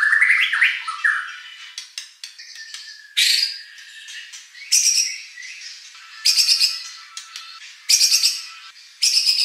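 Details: White-rumped shama song used to provoke a competition bird into answering. It opens with a few quick whistled notes, then gives harsh, buzzy bursts repeated about every one and a half seconds with quieter gaps between.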